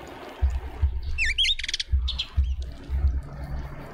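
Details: Hungry Cape white-eye at a garden feeder in a suburban Pretoria garden, South Africa, waiting for a turn: a pair of high wavering whistled notes, then a quick rattling burst and a softer trailing note, over a steady low hum.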